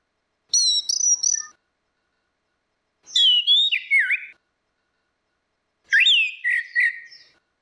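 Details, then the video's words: Orange-headed thrush, female and male, singing as a lure recording: three whistled phrases spaced about two and a half seconds apart, each with high chirps then descending slurred notes, no other sounds. "SUARA ANIS MERAH BETINA VS ANIS MERAH JANTAN NGEPLONG || PANCINGAN ANIS MERAH MACET"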